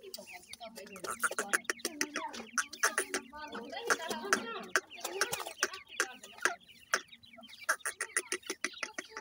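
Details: Several Irani teetar chicks, a francolin, keep up continuous thin chirping and peeping, many small voices overlapping, mixed with frequent sharp ticking and pecking-like clicks throughout.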